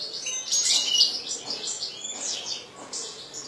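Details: Pet European goldfinch in captivity delivering a continuous high, rapid twitter of chirps and liquid notes, loudest near the start and easing off toward the end.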